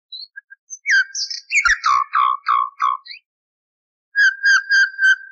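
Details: Common nightingale song from an old recording with the noise removed, used for training canaries: varied phrases of clear whistles, rapid chattering notes and buzzy trills, a pause, then a run of repeated whistled notes.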